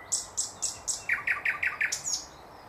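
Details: Thrush nightingale song, 2024: four loud high piping notes, then five lower clicking strokes repeated rapidly and evenly, ending with a falling whistled flourish.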